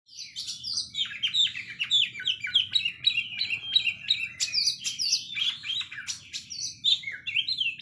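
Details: Oriental magpie-robin in a long, varied song of rapid whistled and chirping notes, sliding up and down at a high pitch, with fast phrase changes and brief pauses. A faint low hum sits underneath.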